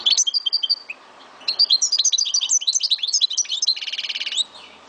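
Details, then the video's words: Pet Algerian goldfinch from Souk Ahras in full song: a continuous, fast, liquid twittering of varied high notes and slurred whistles, ending in a dense buzzy trill, over quiet background. "Chant de Mon Chardonneret De Souk Ahrass"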